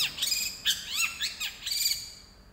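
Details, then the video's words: Long-tailed shrike (cendet) singing energetically in the 'gereja tarung' style, copying fighting sparrows: a rapid burst of harsh, high chirps and squeaky downslurred notes, several sliding sharply downward, with the run fading toward the end. "Cendet suara gereja tarung gacor"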